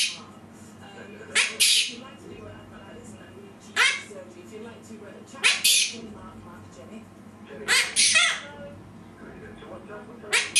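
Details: Quaker parrot imitating a person's sneeze with five breathy, explosive hiss bursts, some paired, spaced one to four seconds apart against faint room hum.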